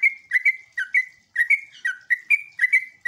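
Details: Sooty-headed bulbul lure song that makes other bulbuls answer: quick paired bubbly whistles with held level notes, delivered in rapid clusters.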